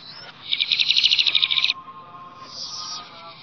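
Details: Flamboyan bird in the wild, sweet natural song: a rapid high pulsed trill lasting just over a second, then a faint, thin high whistle against low background noise.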